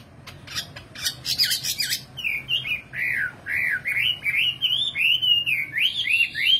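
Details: Singing nightingale opening with sharp clicking, rattling bursts, then a string of varied slurred whistles rising and falling in quick succession, each phrase short and distinct, against faint low hum.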